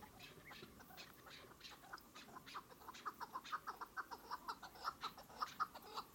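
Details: Chukar partridge calling, starting softly, then building into a run of sharp, repeated chuk notes, roughly two per second and growing louder toward the end, over a quiet, hissy background.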